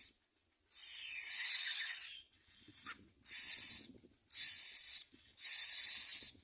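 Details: Common myna chicks in the nest beg while their mother feeds them, giving harsh, hissing rasps about one second long, repeated four times in quick succession, with soft rustling between them.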